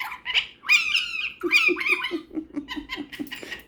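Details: Caged pet cockatiel with a superb parrot before bed: harsh, scratchy chattering notes, then a string of short low, laugh-like pulses repeated rapidly in a quiet indoor room.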